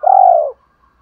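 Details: Spotted dove giving a single loud, smooth, low coo about half a second long, part of a calling sequence meant to make wild doves respond. Silence follows.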